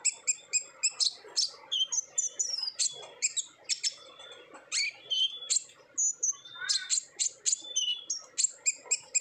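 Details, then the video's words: Olive-backed sunbird in lively ngobra-style song, used as a lure to set other sunbirds singing: rapid, sharp, high chirps and short whistled notes in quick bursts, with brief slurred trills and a few downward sweeps. "PANCINGAN KONIN GACOR NGOBRA , KONIN BAHAN PASTI AKAN RAJIN BUNYI"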